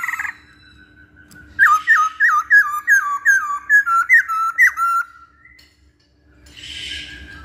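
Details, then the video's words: Masked laughingthrush, used as a lure to get other birds singing, delivers a string of about twelve loud downslurred whistles in quick succession, followed by a soft rustling noise. "Pancingan Poksay Hongkong"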